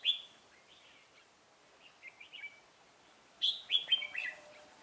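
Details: Red-whiskered bulbul singing at a trap on 17 November 2017 to draw in rivals. Lively whistled phrases of several quick notes come in repeated bursts, loud at the start and end, with quieter notes between.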